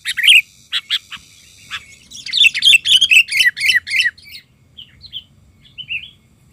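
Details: A sooty-headed bulbul serving as a lure bird, in full agitation, gives a few spaced sharp notes, then a dense fast run of gurgling chirps, trailing off into softer warbled phrases.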